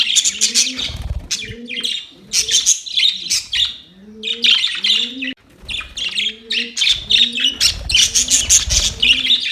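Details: Chirping budgies at play pour out rapid high squeaks and warbles, with a low, hoarse cooing repeated about every second underneath.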